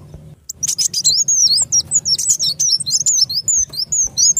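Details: Trapping lure of the kolibri wulung sunbird, a continuous stream of very high, thin, sweeping chirps and twitters delivered at a fast pace, with soft low humming underneath.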